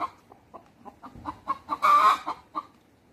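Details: A cock and hens communicating: spaced soft clucks quickening into a run, peaking in one loud strained squawk before a final cluck.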